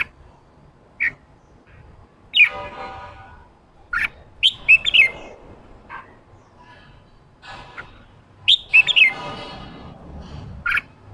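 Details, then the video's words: A caged red-whiskered bulbul, a wild-caught bird in training for 'ché' song, gives isolated sharp chirps and two bursts of rich slurred whistling that fall into a buzzy trailing rattle. "Kích chào mào bổi ra giọng ché chào mào ché kích trống căng lửa ché"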